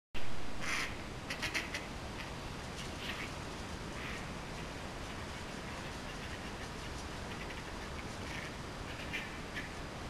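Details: Backyard ducks squabbling as two males chase a female: a few short, harsh, broadband quacks in the first four seconds, then only steady outdoor background noise.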